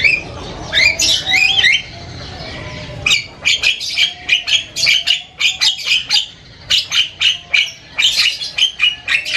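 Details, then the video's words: ['Javan myna singing loudly with varied sounds: opening twisting whistled phrases, then rapid bursts of harsh, squawky chatter broken by short pauses.'] "SUARA JALAK KEBO NGOCEH KERAS BERBAGAI VARIASI BUNYI"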